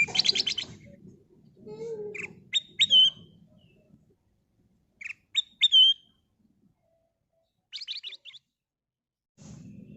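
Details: Golden bulbul (kutilang emas) used as a lure: quick clear whistled phrases with rising strokes and falling trills in short bursts, plus rapid buzzy chatter and scratchy rustling, with quiet gaps.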